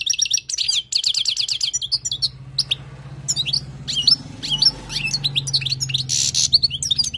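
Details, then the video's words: European goldfinch of wild stock singing for tutoring. It opens with quick, dense chirping trills, then gives scattered sharp upswept notes and tinkling twitters, with a low steady hum throughout. "تغريد حسون خلوي للتعليم"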